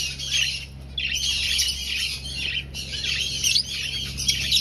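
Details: Breeding aviary finches searching for a nest; loud bursts of high twittering from many birds, separated by short gaps, over a low constant hum.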